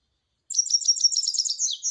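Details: Singing European goldfinch with a quick, liquid, high-pitched twitter of jangling chirps and slurred notes, delivered in one continuous run of about a second and a half.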